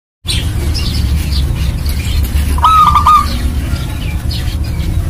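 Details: Local zebra dove in full song, used as a lure to get other zebra doves singing: one short, rapid, beaded cooing trill near the middle over a steady low rumble, with faint chirps from other birds.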